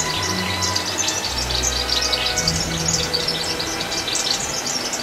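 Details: Asian house martins nesting as a colony under a bridge girder twitter constantly, a dense overlapping chatter of short, dry, high chirrups, over a steady low rumble of traffic or machinery.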